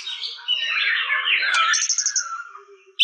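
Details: Shama song with a dense scratchy warble, then a quick high stuttering trill and a lower fading whistle; a sharp click closes the phrase.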